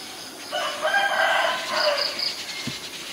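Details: Common myna recorded in Ubon Ratchathani, Thailand, on May 7, 2022 using a Nikon P1000; one loud, harsh, layered call with a croaking, gurgling quality stretches nearly two seconds, followed by a soft thump.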